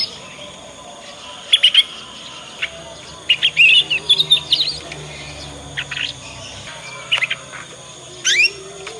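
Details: Young Yorkshire canary singing ngriwik learning phrases, meant as a lure for other canaries to respond and learn. Scattered high chirps lead into a longer twittering phrase midway, followed by isolated sharp notes over steady background hiss.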